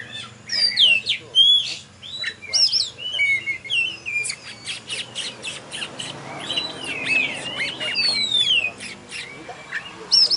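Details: Oriental magpie-robin, a contest champion, singing at a bird competition in Tebas: rapid sequence of sharp whistled sweeps, chirps and clicking notes, loud and continuous over ten seconds amid background crowd murmur.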